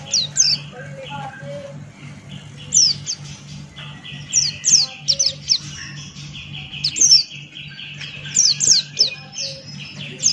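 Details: Buxton's white-eye singing in ngalas style: scattered high downslurred chirps and bursts, with softer mid-pitched warbling notes and a steady low hum.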